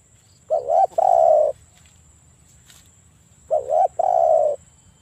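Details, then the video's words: Spotted dove used as a lure to make rival doves answer: two mellow coo phrases about three seconds apart, each a quick doubled wavering note followed by a drawn-out steady coo, with a quiet low background hum. "TEKUKUR GACOR Suara Merdu - PANCINGAN AMPUH MEMANGGIL LAWAN BUNYI"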